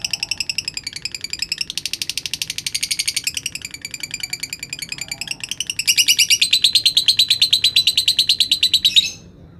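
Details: Lutino rosy-faced lovebird from Gresik, East Java, a contest winner, giving a long ngekek: a rapid, high chattering trill of harsh pulses for nearly ten seconds, growing louder toward the end.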